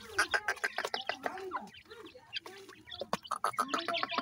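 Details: Partridge and pheasant chicks, kept birds being given traditional desi feed, give a dense chorus of short, high, upward-flicking peeps, many overlapping and repeated several times a second, with brief clicks.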